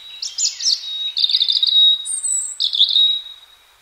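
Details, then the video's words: Free-living European robin in spring song, delivering a rapid, high-pitched warbling phrase of tinkling notes that flows into thin sustained whistles and a very high drawn-out tone, then a final trilled flourish. Background is quiet. "chants , cris du rouge gorge HD/songs , calls european robin HD"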